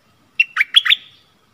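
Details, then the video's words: Stripe-throated bulbul used to lure wild birds, recorded 1 April 2021. A single brisk, gurgling phrase of four tumbling notes, lasting under a second, against a quiet background. "เสียงต่อนกดอกแตงEp.40 Burung merbah lekir gacor | bay hoanh hoach thom"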